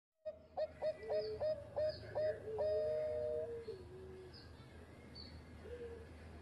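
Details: Former champion zebra dove singing in the engkel style: a run of short, clear cooing notes in quick succession, then a long, level, drawn-out coo that slides lower at the end. Steady background hum.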